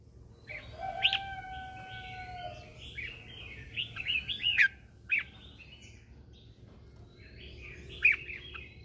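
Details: Morning song of a red-whiskered bulbul used as a lure to call other birds during singing training: short whistled notes, then a quick run of rising and falling chirpy phrases, with a sustained lower tone early on.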